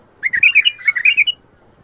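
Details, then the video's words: Bulbul song phrase in the Mandali and Badra styles, called shadat ward, fajrli and ward tabarli: about ten quick, clear, liquid whistled notes that rise and fall in a lively rolling run lasting just over a second. "تغريد ارقى اطوار مندلي وبدره شدة ورد .وفجرلي. ورد تبرلي"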